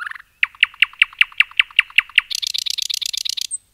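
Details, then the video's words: Common nightingale singing in a forest, an even series of about ten loud chirped notes, one every fifth of a second, followed by a faster high buzzy trill that stops abruptly. "Nightingale song"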